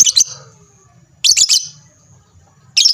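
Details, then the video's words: Lovebird song intended to make other lovebirds respond. Three short bursts of harsh, high chattering chirps are separated by pauses of over a second, over a steady low hum. "lovebird mu di jamin langsung nyaut rame bunyi gacor"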